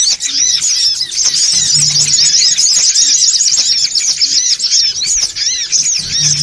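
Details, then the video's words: Noisy songon otong chorus played to attract birds: continuous shrill twittering and squeaky curved notes from many birds, densely layered, with a faint low tone now and then. "SUARA PIKAT SONGON OTONG (RIBUT) AUTO KUMPUL"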